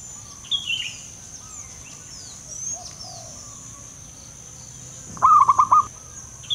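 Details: Local male zebra dove with a strong voice sings one quick string of five purring coo notes late in the recording, with scattered high chirps of other birds and a persistent high tone.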